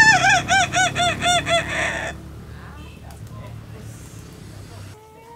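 A Kokok Balenggek rooster crows in a long, tiered run of rapid, arching, melodious syllables.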